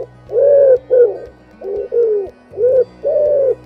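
A Common Wood Pigeon gives a run of deep, soft, hooting coos in a steady rhythmic phrase, over a faint low background hum.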